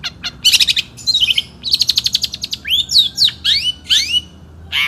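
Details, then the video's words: Caged national champion Long-tailed Shrike singing in the 'satu titik' style, 2016: a rapid, varied run of sharp high chirps, buzzy trills and rising whistled slurs, delivered in quick bursts with short pauses. "KICAU BURUNG CENDET JAWARA NASIONAL GAYA SATU TITIK 2016"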